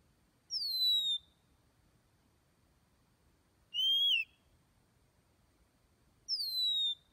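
An Oriental magpie-robin gives three clear, high whistles about three seconds apart, two sliding downward and one rising then falling, over a quiet background.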